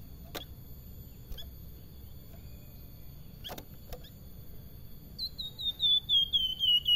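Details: Salakan song in a sweet, flute-like manner: several sharp clicks and knocks first, then a fast descending series of clear whistled notes starting after a few seconds and continuing to the end.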